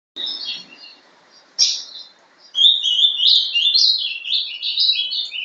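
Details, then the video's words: A young ultramarine grosbeak (Passerina brissonii), hatched 11 December 2012, gives a rich, warbled "sobe e desce" song of rising and falling whistled phrases in the Paraná style after a few brief opening notes; faint room noise behind. "Azulão Sobe e Desce.(Bizulão) Filhote de alta genética. Canto Paraná."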